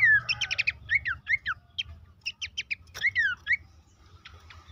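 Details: Horsfield's babbler song used as a stimulus for caged birds: clusters of fast stacked chirps and downward-sweeping whistles, separated by short pauses, with a light low rumble beneath.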